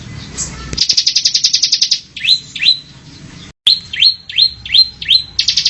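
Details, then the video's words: Training song of the caged Bar-winged prinia (ciblek semi). A quick buzzy trill leads into two rising upslurs, then a run of five whistled upslurs, and a closing burst of rapid trill. "Masteran burung ciblek semi"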